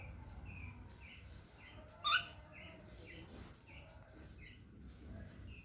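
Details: Small young cockatiel walking for the first time gives a single sharp, rising chirp amid quiet background sounds and faint repeated soft notes.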